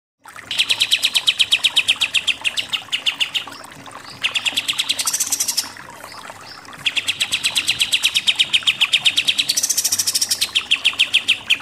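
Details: Pied triller singing in the rapid nembak-nembak style: fast trains of sharp repeated chattering notes, each burst lasting two to three seconds and ending in higher, buzzier notes, with short pauses between bursts.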